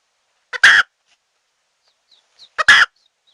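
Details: Lure call of a red junglefowl hen, used to trap wild birds. Two harsh, grating clucks, each led by a brief softer note, with faint high chirps between them.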